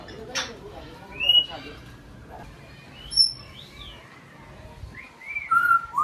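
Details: Parrots in the parrot section of Loro Parque, Tenerife, heard on a walk through the park: clear whistled calls, some rising and some falling, given in short bursts at scattered intervals, with a brief noisy burst and faint voices near the start.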